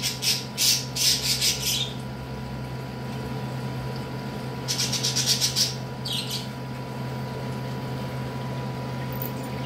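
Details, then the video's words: A pet parakeet throws a hissy fit indoors, giving bursts of harsh, rapid squawks in two bouts of about four to five notes each, over a steady low indoor hum. "My parakeet Chirpy caught throwing a major hissyfit"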